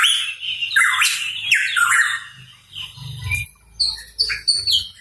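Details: Hooded pitohui, or cucak rawa papua, singing in full voice: raspy, sliding squawks run together, followed by thinner high chirps, with a low humming rumble underneath in the background.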